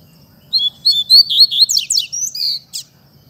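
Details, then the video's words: Fibra-style song of a double-collared seedeater: a fast string of high, bright whistled notes and quick downslurred chips, with a tumbling run in the middle and a clipped, buzzy ending. Little other sound. "Coleiro Mack Canto Fibra Dando um Show!!!"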